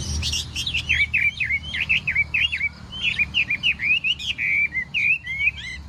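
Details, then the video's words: Morning contest song of a Chinese hwamei: a rapid string of bright, warbled whistles, many notes bent down then up, delivered in a steady rolling series over a low rumbling background. "Hoạ Mi Hót Đấu /hoạ mi hót sáng luyện giọng"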